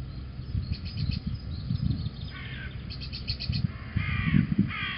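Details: Little owl pair at Holten, 4 March 2020 around 09:48, giving harsh, raspy, crow-like calls in two short bursts, partly masked by heavy low thumping and rumbling.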